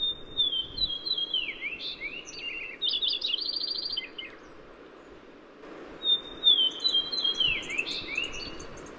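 Lincoln's Sparrow sings twice, bubbly, wren-like phrases of rapid gurgling trills jumping in pitch, each about three seconds, over faint background hiss.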